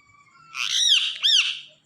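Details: Indian ringneck parakeet at night, a shrill two-part screech: a long harsh arched note, a brief dip, then a second rising-falling shriek fading out.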